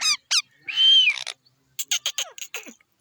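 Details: Green parrot with a baby parrot being fed; short squeaky squawks, a longer nasal whining call, then a quick run of clicky chattering notes.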